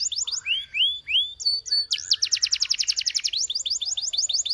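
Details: Canary song opening with upslurred whistled notes, then a brief steady tone, then a fast run of sharply repeated chirps that ends in a quicker rattle.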